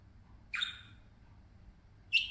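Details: Pet parakeets at play give two harsh, buzzy squawks about one and a half seconds apart, the second one louder.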